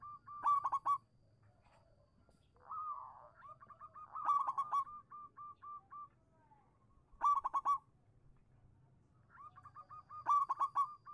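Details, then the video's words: Local zebra dove singing, played to prompt silent doves to answer: rapid stuttered coo bursts, a rolling wavering coo, and runs of short evenly spaced notes, over a faint low hum. "suara burung perkutut lokal manggung pancingan cepat nyaut untuk perkutut macet bunyi"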